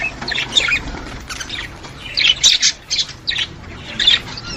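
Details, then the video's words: Budgerigar calls to stimulate budgies: separate short squawks and chirps in scattered bursts, with quiet pauses between them. "اقوي صوت يساعد على تحفيز طيور البادجي"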